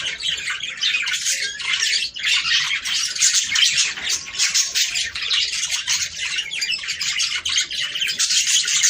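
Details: Budgerigar song meant to encourage breeding, a steady wall of scratchy warbles, chirps and squawks from several birds, pulsing in short bursts throughout.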